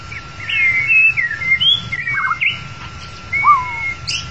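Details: White-rumped shama song used to lure the bird into a trap: flowing whistled phrases with rising and dipping slurs, a short burry note mid-sequence, then a long level whistle and a falling note.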